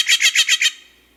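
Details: Steller's Jay giving one of its two very common calls, in playback: five rapid, raspy, nasal notes strung together in under a second, evenly paced, then fading to quiet.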